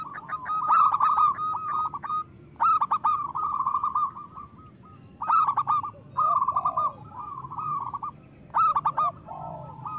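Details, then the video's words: Singing local zebra dove used as a lure for lazy or moulting doves: loud rolling stuttered coo phrases roughly every two to three seconds, a few lower curved notes, over steady low background hum. "Perkutut lokal gacor Suara Besar Pancingan"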